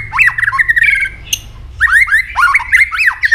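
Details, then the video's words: Fighting song of a kept White-rumped shama: fast harsh squawky notes and rapid looping whistled slurs at mid pitch, dense and loud, with a sharp click midway and a brief gap before the burst resumes. "chòe lửa chuyền hót đấu nết đập tạch đuôi chắc,kích chòe lửa hót đấu chớm lửa"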